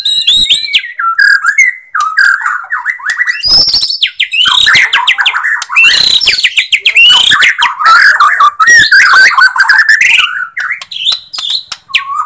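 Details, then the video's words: White-rumped shama of the Borneo type, its song used as a lure to provoke other shamas into singing; rich, varied phrases of whistles, rising sweeps and rapid chattering notes packed closely together, with sharp clicks between. "Pancingan Murai Kurang Emosi ||👍 Murai Batu Borneo || Rumped Shama"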